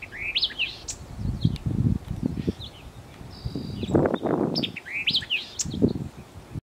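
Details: White-eyed Vireo at Talbert Nature Preserve, Costa Mesa, Orange County, California, giving a quick, snappy phrase of sharp chips and slurred whistles, repeated about five seconds later, over low wind-like rumbles and thumps.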